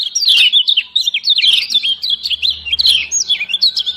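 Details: Lemon-bellied white-eye female from Lombok, calls that push lazy birds to sing, delivered as a steady, energetic chatter of high slurred chirps and quick whistled notes, with a faint low hum beneath.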